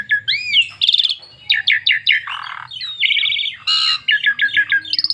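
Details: Asian pied starling, its song used to make other starlings sing; curving whistles, fast repeated chirp trains and a rasping noisy burst alternate in a busy, continuous high-pitched stream.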